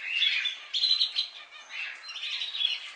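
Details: A few budgerigars give scratchy, chattering trills with brief squeaky notes, two louder bursts separated by a softer pause.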